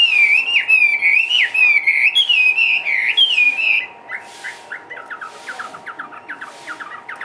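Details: Chinese hwamei in a cage, energetic and hopping, sings a loud wavering whistled warble for about four seconds, then switches to a rapid series of softer short clipped notes.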